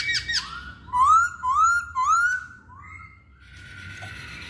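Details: Masked laughingthrush song: a burst of high harmonic notes, then three loud rising whistled slurs about half a second apart, two softer upslurred whistles, and a faint hissy fade at the end.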